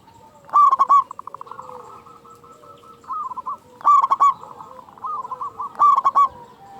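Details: Loud, frequent-calling local zebra dove used to provoke caged doves into song. Three strong stuttering coo bursts come roughly every two and a half seconds. A soft, steady purring trill and fainter coos sit between them.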